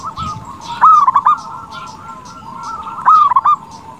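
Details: Singing zebra dove of local stock, used to stir rival doves into answering: two crisp trilled coo phrases about 2.2 seconds apart, each opening with a sharp note, over a low steady murmur of cooing.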